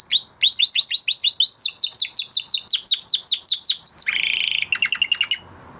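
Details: Post-moult male canary singing a rhythmic tour of about twenty downward-slurred whistles, steadily repeated, then a rough buzzy rattle and a few clipped notes before it falls silent.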